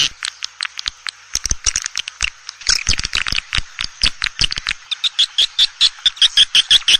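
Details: Call used to lure swiftlets into a swiftlet house. It has irregular sharp clicks and twitters, then a steady run of short chirps with faint whistled notes, about three to four each second.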